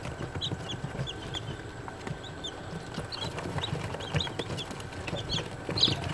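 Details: Day-old Australorp baby chicks with scattered high, short peeps coming in small bursts, partly masked by steady low rumble and clicking noise.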